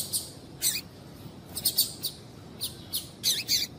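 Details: High chip notes of a female Double-collared Seedeater, played to prompt males to sing, come singly and in pairs at an uneven pace over soft background hiss.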